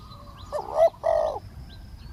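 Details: Decoy spotted dove calling to draw in a wild one: two hollow coos close together after a soft low hum, with faint distant coos and thin bird chirps behind.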